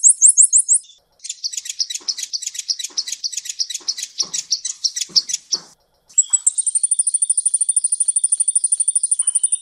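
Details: Sunbird known locally as kolibri konin Eropa, on a training recording for cage birds: rapid high chirps, then a long run of sharp twittering notes, then a thin, fast, even trill.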